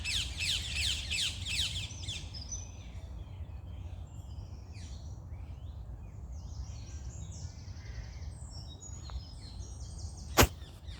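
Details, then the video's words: Morning birdsong: a rapid series of repeated high downslurred chirps at first, then scattered faint twitters and short notes over steady low rumble, with a sharp click near the end. "Start your day with birds singing"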